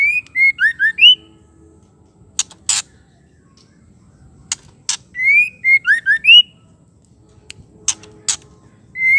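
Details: Provoking call of a female white-rumped shama, used to excite males. Short bursts of five bright whistled notes, rising and dipping, recur about every four seconds. Loud clicking snaps sit between bursts.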